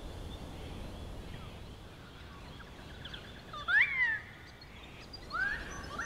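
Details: An adolescent Wedge-tailed eagle at Plenty Gorge, Melbourne, at sunset after a hot day in a light breeze, gives a thin whistle sweeping up then dropping, then a short rising whistle, over soft hiss.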